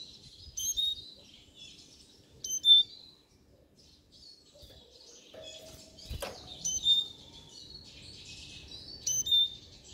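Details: Siskin singing in short, scattered phrases of high chirps and thin whistles separated by quiet gaps, with a brief warbled run and a single sharp knock midway.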